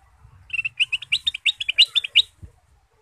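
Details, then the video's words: Male goldfinch (kutilang emas) in lively, chattering form, sung as a lure to prompt other birds: a fast run of about fourteen bright, high twittering notes, each a short rising chirp, delivered in under two seconds with faint low rumble beneath. "kutilang emas gacor dan lincah pancingan ampuh dengan suara merdu"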